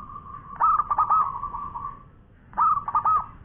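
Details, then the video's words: Zebra dove, a local perkutut singing actively in long-voiced style: two phrases of rapid hiccuping coos running into a drawn-out mellow trill, separated by a short quiet gap. "Bunyi Perkutut Lokal Gacor Suara Panjang Juara"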